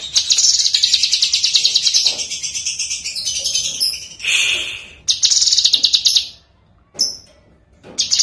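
A lesser green leafbird sings long bursts of rapid, high, chattering notes, broken by short pauses and a few sharp sweeping calls.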